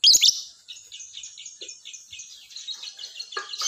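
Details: Lovebird singing in the morning: a loud burst of sharp high chirps, then a steady run of short, rapid, scratchy high notes, ending with a harsher, louder chirp.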